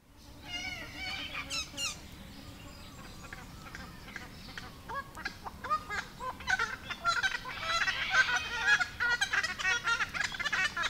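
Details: Noisy Friarbirds, subspecies monachus, likely a pair, at a water source in the Capertee Valley, NSW, Australia, on a warm sunny mid-September day; raucous, nasal, harmonic calls repeated rapidly and growing louder, with other honeyeaters calling around.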